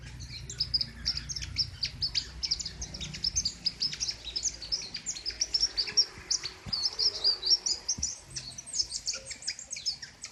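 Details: Loud, sharp besetan singing from a king konin: rapid, continuous high twittering with clustered chirps and brief trills, keeping a busy, unbroken stream of notes throughout.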